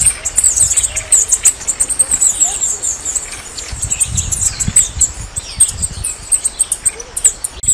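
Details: Red-necked tanager (Tangara cyanocephala), song.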